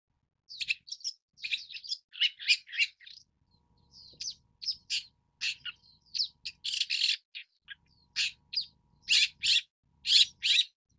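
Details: Long-tailed shrike giving a rambling series of varied high chattering, scratchy and squeaky notes, about one a second, with short pauses and little background noise.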